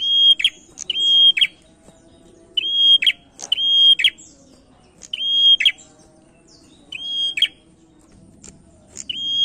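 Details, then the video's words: Male prinia used as a lure to prompt other birds into singing: repeated bright whistled phrases, each a level high note with sharp clicks at either end, given in bursts roughly every second or two over faint low background hum. "PRENJAK JANTAN MULUS GACOR PANCINGAN"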